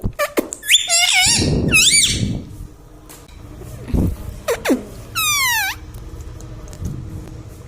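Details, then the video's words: Pet parrot in a small room giving quick sharp chirps, then a cluster of bent, harmonic squawks, followed by scattered clicks and a single long falling whistle-like squawk near the end. "mummy bolta mithu ||papa bolne vala parrot || parrot talking"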